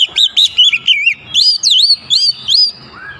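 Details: White-rumped shama lure song meant to provoke other birds: rapid whistled phrases, wavering and then swooping up and down, about three notes a second, with a soft low note at the end.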